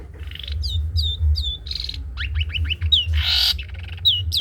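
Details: Long-tailed shrike singing trotol style as tutor song: clear downslurred whistles repeated in series, a run of quick rising notes, then a loud harsh rasping burst followed by more whistles, with a low hum behind.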